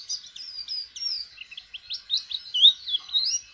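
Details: Clean high warbling from a white-eye practising opening its beak to sing: rising and falling slurred whistles strung closely together, growing louder near the end.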